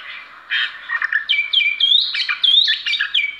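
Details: Oriental magpie-robin, a caged songbird shown performing, singing a rich varied phrase of clear whistled notes and slurred sweeps, rising and falling, with a few harsher chattering notes mixed in, no other sounds.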